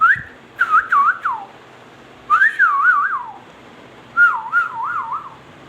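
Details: Ringneck parrot giving three separate whistled phrases, each starting with a rising note and then warbling up and down in quick wavy pulses before dropping away, with pauses of about a second between phrases.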